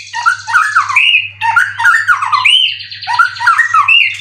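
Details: White-rumped shama, a caged prize-winning competition bird from Indonesia in 90% condition, repeats buzzy, rolling phrases of looping whistles about every second and a half, over a steady low hum.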